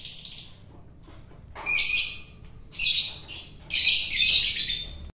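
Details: Long-tailed shrike taken from the wild and fed to make it tame gives a string of harsh, grating squawks of varied length, growing louder and longer toward the end.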